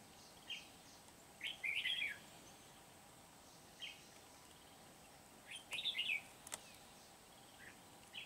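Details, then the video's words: Trapping-session red-whiskered bulbul, a wild-caught Kim Bôi bird singing energetically on 8 September 2019: brief bright warbled bursts spaced a few seconds apart, two fuller phrases among single chirps, with light background hiss. "Bẫy chào mào Bổi Kim Bôi - HB quá sung"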